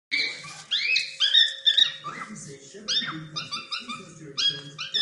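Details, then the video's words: Playing cockatiel giving a rapid string of harsh, harmonic chirps and rising squawks, some short and clipped, others drawn out and sliding upward, with a faint low murmur and a steady hum underneath. "cocktail bird playing and sound"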